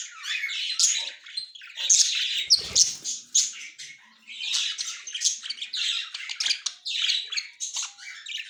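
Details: Budgerigar pair, white male and yellow-green female, October 30, 2024: long stretch of busy, high-pitched chattering warble, scratchy squawks and rapid chirps, briefly dipping quieter midway before resuming.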